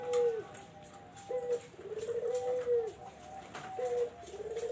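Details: Repeated cooing of a Barbary dove, used to lure zebra doves. Brief sharp coos alternate with longer, sustained rolling coos in a steady low-pitched cycle. Faint higher whistled notes and light background hiss sit underneath.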